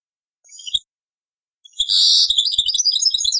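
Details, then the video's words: European goldfinch singing Taqsrayn style on an old cassette: a brief twittered opening, silence, then a loud buzzy, rasping note that breaks into fast, jingling chatter. "تغريد تقصراين من كاسيت قديم"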